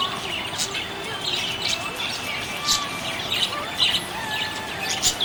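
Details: Happy budgerigar chirping: thin, high, scattered chirps and short scratchy warbles, somewhat masked by steady background hiss and faint indistinct noise.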